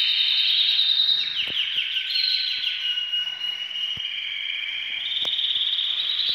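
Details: Canaries said to be ready for breeding sing a continuous, high, rolling song of fast trills and sweet warbles that overlap without pause, with occasional sharp clicks in the background.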